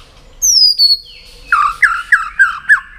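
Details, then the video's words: White-rumped shama giving the 'tạch' style with tail-flicking, used to rouse other shamas into contest singing: a clear whistle sliding downward, a brief second note, then five harsh, buzzy chip notes in quick succession. "Chòe lửa tạch đập đuôi kích thích lửa lên lửa rất nhanh kích chim hót đấu hiệu quả"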